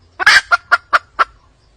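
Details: A wild hen calling in response to drums gives a harsh opening squawk, then four clipped, nasal cackling notes about a quarter second apart.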